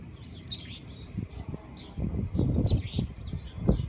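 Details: Mountain chickadees eating peanut butter beside the recordist in a Colorado Springs back yard on a pleasant day; quick, high twittering chirps come in bursts, mixed with dull low knocks and thumps nearby.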